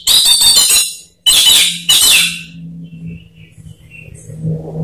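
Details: Orange-headed thrush lure song for getting kept birds to sing: three rough, scratchy bursts of rapid notes in quick succession, followed by a steady low hum and faint high chirps.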